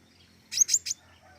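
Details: Flowerpecker in lively song: a fast run of three sharp, very high chips in under half a second, in a quiet setting.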